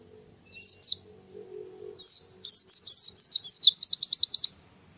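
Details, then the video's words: An Oriental white-eye sings in the morning, opening with a short high twitter, then after a pause a bright tumbling phrase of slurred whistles closing in a fast trill of about ten notes. "suara burung pleci di pagi hari"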